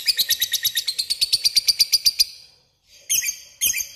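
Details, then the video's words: Lovebird calling a rival in the lively 'ngetik ngekek' style: a fast run of about eighteen sharp, high chirps over two seconds, a short pause, then two harsh, buzzy squawks. "Suara burung lovebird memanggil lawan ngetik ngekek gacor"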